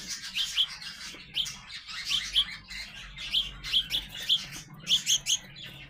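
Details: Young sparrows, shown growing up, chirp persistently in sharp paired notes, roughly one burst per second, with soft background hiss.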